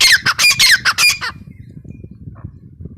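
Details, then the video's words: Female grey francolin giving loud, grating squawks, about six rasping notes in quick succession, then fading into a low outdoor rumble with a faint distant note. "Teetar ki awaz | teetar sound | gray francolin teetar awaz | female teetar sound"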